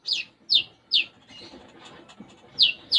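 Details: Sunbird singing lively, its song said to be filled with house-sparrow-style phrases; sharp, high, downward-sweeping chirps given singly about every half second, with pauses and a faint low background murmur.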